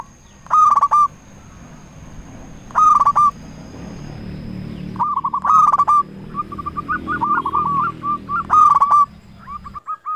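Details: Local zebra dove calling as a lure to make rival doves answer: brief loud clusters of rolling coos repeat every two to three seconds, with softer trilled coo runs between them and a noisy low rumble throughout.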